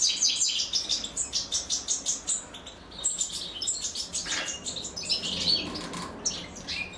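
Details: European goldfinch chicks begging while their mother feeds them: rapid high-pitched tweets repeated steadily, almost three a second, breaking into a busier burst of squeaky chirps midway, then scattered calls against a soft low hum.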